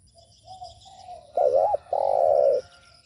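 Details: Spotted dove giving its cooing call to provoke other doves: quiet soft lead-in notes rise to a loud wavering coo, followed after a short gap by a sustained level coo.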